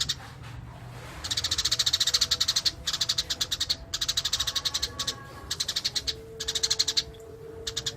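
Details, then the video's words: Eurasian tree sparrow chattering song, ngerol style: fast, rhythmic chirp runs, each lasting about a second, repeated with short gaps, over a soft low background hum. "Burung gereja gacor master alami"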